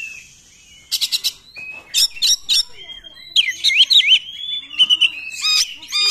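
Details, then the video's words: Oriental magpie-robin in the fast 'nembak' singing style, meant to goad reluctant magpie-robins into singing: a thin steady whistle opens, then clusters of sharp clipped notes and looping warbled whistles alternate at a lively pace. "KACER NEMBAK, UNTUK PANCINGAN KACER YANG TIDAK GACOR"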